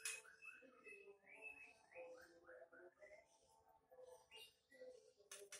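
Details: Caged female greater green leafbird, kept for breeding with a Banyuwangi male, sings a quiet series of short rising whistled notes, about two per second, over lower warbling tones, indoors.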